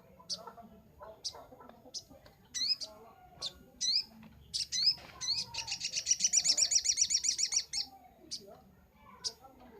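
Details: Brown-throated sunbird on a master recording used to train birds: scattered sharp, high upslurred chips, then a loud rapid trill of about one and a half seconds, followed by more single chips.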